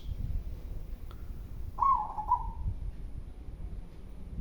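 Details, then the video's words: Local-type zebra dove singing in a strong voice: one brief cooing phrase, a sharp clipped start followed by a quick rolling trill that fades downward, set against steady low-pitched background noise. "Perkutut lokal mangung suara besar."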